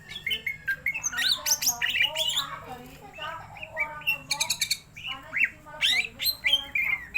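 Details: Caged greater green leafbird singing after being stirred up: a dense, fast chatter of varied whistles, squeaky chirps and buzzy trills with hardly a pause, mimic-like in its variety, over a low electrical hum.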